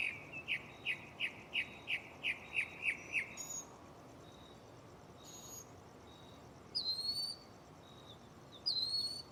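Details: Mockingbird singing at night in a tree nearby. A fast string of about ten identical sharp chirps comes first, then a pause and sparse high, thin whistled notes.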